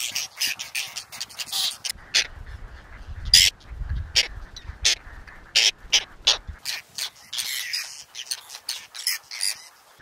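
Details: Whiskered terns (Chlidonias hybrida) at a breeding colony on water chestnut and lotus, Astrakhan Nature Reserve, Russia, 22 July 2017, adjusting nests still holding clutches: harsh, rasping overlapping calls from several birds, with wind rumble partway.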